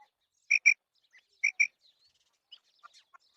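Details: Two crisp pairs of high, clipped notes from a female quail, followed by faint scattered chirps.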